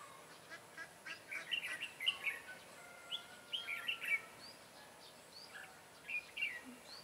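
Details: Red-whiskered bulbul, 'Má trắng' type, at a trapping session on 23 June 2018: several quick bubbly phrases of chirped, slurred whistles, spaced irregularly, with a thin steady whistle-like tone between phrases and soft background noise.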